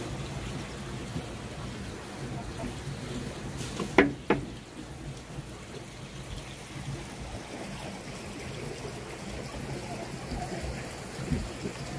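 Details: Steady trickling water and low background rumble with a couple of sharp knocks, but no clear animal calls.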